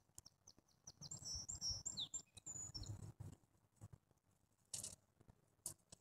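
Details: High, sweet twittering from a grey-headed junco, a burst of rapid squeaky notes with a falling slur in the first two seconds, then scattered clicks and a brief hiss.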